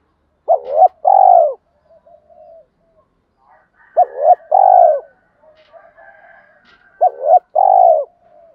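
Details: Spotted dove used as a decoy, cooing to call and stimulate wild doves; three repeated phrases, each a quick double coo followed by a longer, falling hollow note, spaced about three seconds apart with soft murmurs between.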